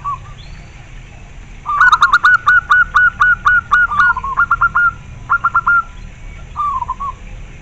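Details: Local zebra dove delivers one soft introductory coo, then a fast, emphatic series of about a dozen clear, clipped cooing notes, trailing into short three-note groups and a final soft coo; a steady low hum underneath.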